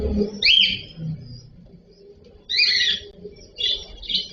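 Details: Cockatiel (cocktail parrot) sounding loud, grating upswept chirps: one strong call, a pause, then another followed by two shorter rough notes, above a faint background hum.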